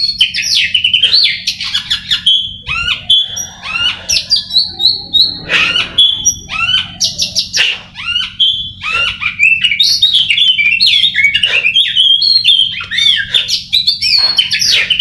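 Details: Oriental magpie-robin being prepared for song contests pours out a long, vigorous song of rapid varied phrases, sharp downslurred notes, trills and short whistles, with barely a pause throughout.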